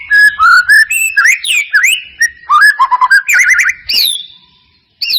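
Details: Lure of white-rumped shama song for coaxing a bird to sing: a dense, varied stream of whistled, warbled and trilled phrases, ending in a high sliding whistle after a short pause.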